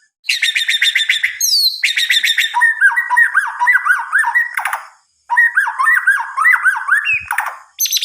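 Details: White-rumped shama singing at night, used as a lure for other shamas: a loud, varied song of rapid rattling trills alternating with repeated sliding whistled phrases, in bursts separated by short pauses, with no other clear sounds.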